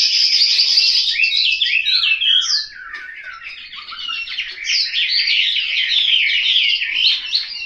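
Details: Chinese hwamei kept in a Hanoi home sings loud jumbled whistles and trills, dipping briefly quieter midway before resuming with a dense, rapid phrase.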